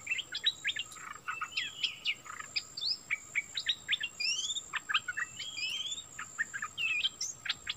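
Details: Cream-vented Bulbul decoy bird calling to lure a wild bird, 16 March 2021; many short sharp chirps and quick rising and falling whistled notes tumble together, with a steady high insect hum throughout.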